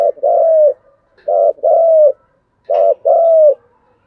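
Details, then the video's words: Decoy spotted dove cooing vigorously: three paired phrases, each a short coo followed by a longer, slightly falling hollow note, about every second and a half, in a quiet setting. "Chim Cu Mồi thúc gù sung"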